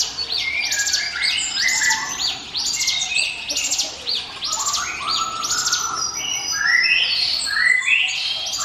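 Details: Bar-winged prinia 'ngiwit wit' song, used as a lure for other birds: high ringing chirp bursts roughly every second, then rising whistled phrases toward the end.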